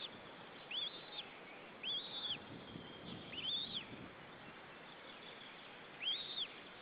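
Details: A lone white-tailed eagle chick in its nest in Estonia, 25 April 2013, gives thin, high, squeaky calls in four short bursts at uneven intervals, over a steady background hiss.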